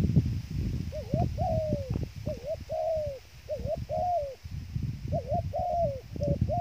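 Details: Dove used as bait for trapping, giving clear soft coos in pairs, a short upturned note followed by a longer falling one, repeated about every second over low rustling background.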